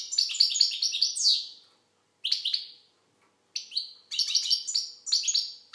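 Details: Algerian goldfinch (maqnin) giving a fast liquid twitter, a rapid run of tinkling notes ending in a drawn-out buzzy slur, then shorter bursts after brief pauses.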